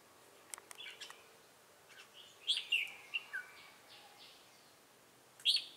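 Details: Red-whiskered bulbul used as a trapping decoy in Bình Phước, Vietnam, on 25 June 2018, singing to provoke rivals: a few loud, slurred whistled phrases, mostly high and bright with some lower notes, spaced by short pauses over a quiet outdoor background.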